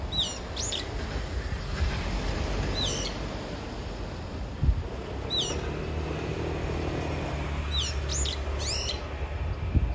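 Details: A brown-eared bulbul calls out for its mate. Sharp, falling squeals come singly and in pairs through the clip, above a constant low hum with a faint thud near the middle.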